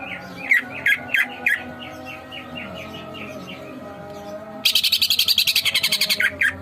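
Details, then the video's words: Greater green leafbird masteran: a series of short bright whistled notes, loudest early and softening, then after a gap a sudden fast harsh rattling chatter with bubbling whistles, all over a steady low electrical-like hum. "masteran cucak ijo gacor"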